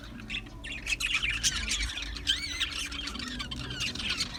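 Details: Chirping budgies from an Australian budgie colony: dense overlapping warbles, squawks and rising-falling whistled notes run continuously, many birds chattering at once against a faint low background hum.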